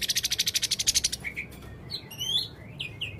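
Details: Male blue-crowned hanging parrot giving a fast run of about fourteen sharp high ticking notes, then thin rising and falling whistles and short chirps at lower volume.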